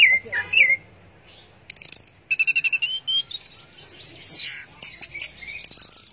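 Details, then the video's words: Teler-style song of an orange-headed thrush: a slurred whistle, then buzzy stuttering trills and a climbing series of clear whistled notes ending in a steep falling sweep, delivered without pause. "Burung Anis Merah Teler"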